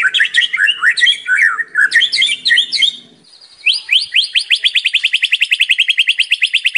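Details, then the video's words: Lively full song of a white-rumped shama, used as a lure to trigger singing in other shamas: jumbled warbling, chattering phrases, a short pause, then a long, fast, even trill of bright repeated notes. "SUARA MURAI BATU GACOR FULL ISIAN | PANCINGAN MURAI BATU GACOR"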